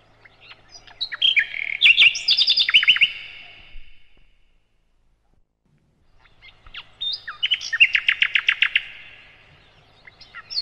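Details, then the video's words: Nightingale, called sikatan londo in Indonesia, used as a master singer for other birds: two bursts of loud song, each with chirps and slurred notes ending in a fast trill, separated by several seconds of silence. "Materan Burung Sikatan Londo"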